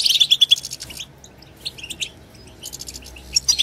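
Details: European goldfinches twittering together, a group chorus played to stimulate other goldfinches to sing: high, rapid chattering notes in bursts, a quiet lull mid-clip, then twittering resumes.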